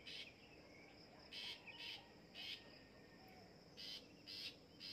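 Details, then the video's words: Long-tailed shrike being trained to sing, giving scratchy, chattering bursts in short irregular runs with pauses between, over a steady low hiss. "DI LATIH BIAR BUNYI BURUNG PENTET"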